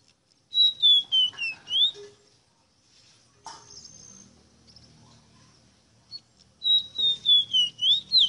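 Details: Two phrases of Rosita song separated by a pause: each is a descending whistled glide broken into pulses, ending with an upward curl, plus a few faint chirps in between.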